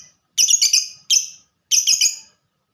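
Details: Lovebird, described as a fighter with ngetik (typing) song, giving three harsh, buzzy, high chattering bursts, each split into rapid stuttering pulses, separated by brief silences.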